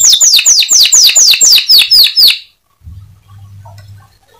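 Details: Canary song meant to draw other canaries into song: nine rapid, sharply falling whistled notes about four per second, then silence with a low hum and faint distant chirps.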